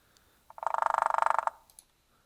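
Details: Hairy Woodpecker drumming: a single rapid, even roll of about twenty sharp taps packed into roughly one second, much faster than a Downy Woodpecker's drum, with a faint click or two afterward.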